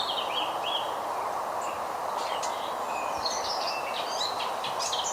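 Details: A single Garden Warbler sings a soft, continuous, conversational warble of quick, high notes that runs on without pause, partly buried under a steady broadband hiss.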